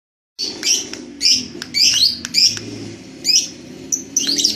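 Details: Red-headed lovebird practising ngekek, its trilling chatter. High, harsh chirps come in short bursts of about half a second, roughly every second, over a low steady hum.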